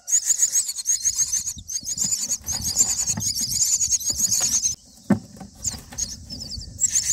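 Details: Common myna young being fed in the nest on day nine; sustained rapid, harsh high-pitched begging calls for nearly five seconds, a short hush with one sharp knock, then more squeals.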